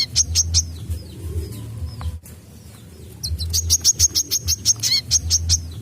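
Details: Kolibri kelapa, or brown-throated sunbird, in a 'wiceh nyecrett' master song: scattered thin high notes, a brief gap, then a dense run of piercing chirps repeated about three times a second, with a low droning rumble beneath.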